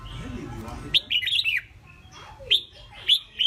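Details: Caged red-whiskered bulbul kept as a pet songbird, rated as a keen fighter with strong competition potential: sharp high chirps with short warbled runs after a low rumbling murmur at the start, then scattered bright notes.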